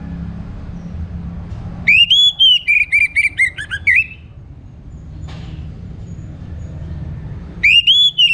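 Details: Morning orange-headed thrush song for stimulating birds to sing: a two-second phrase of stuttering whistles that slowly drop in pitch and finish with an upturned note, then a pause over low noise before the phrase starts again.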